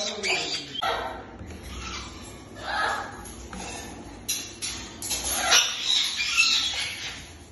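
Caiques give harsh, broadband squawks and chattering bursts, irregular and mostly high-pitched, with a few louder screeches; faint background voices or household noise.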